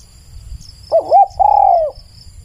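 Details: Spotted dove cooing up close: two quick bubbling hoots, then a longer sustained coo that slides gently downward at the end, with faint high insect buzz and low rumble behind.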